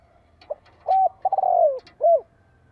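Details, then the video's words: Spotted dove acting as decoy, its call luring wild birds heard from a distance to fight; a short low note, then a loud clear coo, a long grating coo that slides down, and a closing arched coo. "TIẾNG CHIM CU GÁY GỌI KÍCH BỔI GỌI MỒI"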